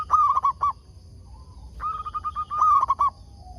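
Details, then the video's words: Decoy zebra dove of local stock, luring wild doves to reply; a loud stuttered run of coos, a pause, then even cooing notes leading into another rapid stuttered burst. "Perkutut lokal gacor RAJA PIKAT ini ahlinya bikin semua burung perkutut gacor nyaut"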